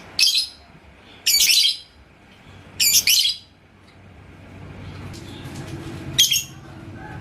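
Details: Yellow lovebird (labet koneng) in Indonesia, provoked by a rival's song: four loud, scratchy, high-pitched bursts, some doubled, spaced about a second apart, with faint low hum between them.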